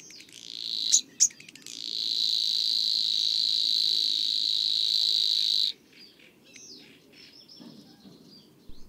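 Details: Savi's Warbler singing at dusk near water gives a fast, even, insect-like buzzing reel held for about four seconds, preceded by a few short clicking notes, then quiet.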